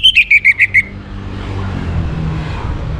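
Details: Orange-headed thrush in a morning recording used to bring birds into breeding condition: six evenly spaced pure whistles, each slightly lower than the last, followed by low rumbling background noise.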